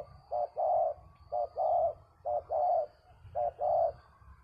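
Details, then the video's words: Spotted dove used in the Malay craft of bird luring, calling to coax a captive bird down. Paired notes: a short double coo followed by a longer, rolling coo, repeated four times about once a second, with low background rumble. "terkukur si hering memujuk tawanan turun"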